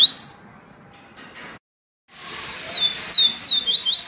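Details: Papacapim peito amarelo, the yellow-bellied seedeater, giving its viviti song: two high slurred whistles, a gap of near silence, then a run of quick descending whistled notes over a hissy background.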